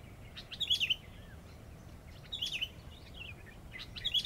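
Sooty-headed bulbul giving three short, bubbly, chattering phrases of liquid notes, roughly every one and a half seconds, over a faint low rumble.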